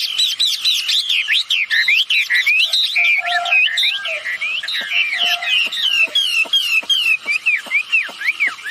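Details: Wambi bird pair, female and male, recorded as a calling lure; continuous bright, swooping whistled phrases, some falling and some rising, packed closely with short clicks between them.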